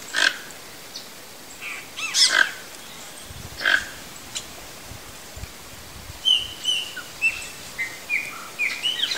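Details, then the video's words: A wild toco toucan (Ramphastos toco) in natural habitat in Brazil gives harsh, grunting croaks in separate bursts about every 1.5 seconds, with thin whistles from other birds later. "Toco Toucan Singing"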